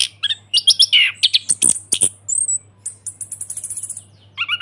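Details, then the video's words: Anis kembang (Chestnut-capped thrush) singing loudly in ngeplong style: mixed whistles and harsh chips, then a fast series of very high, thin ticking notes about four per second, ending with a low whistled phrase; steady faint hum beneath. "ANIS KEMBANG NGEPLONG PANCINGAN TERAPI ANIS KEMBANG MACET BUNYI SEKETIKA LANGSUNG NYAUT DAN GACOR"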